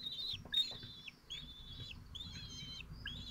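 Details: Several twelve-day-old falcon chicks in Théding, 22 June 2023, struggling to swallow large prey whole. Shrill, thin whistles ending in a downward slur come in a steady series of about five calls, with soft rustling beneath.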